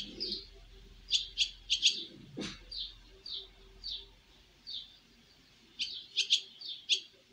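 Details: Baby swallows making their first flight from the nest: short, high chirps in loose clusters, some quick doubled and tripled notes, with one soft low thump midway and quiet gaps between bursts.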